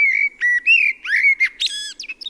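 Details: Common blackbird strophe in a deep, warm voice: clear fluted whistles that rise and fall like a small melody, then a short burst of thin, squeaky notes at the close, known as the thrush squeak.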